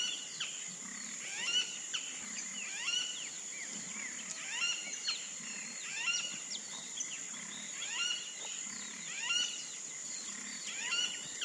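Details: Wattled jacana giving harsh, grating chatter in irregular bursts of scratchy slurred notes, with a steady shrill insect drone throughout.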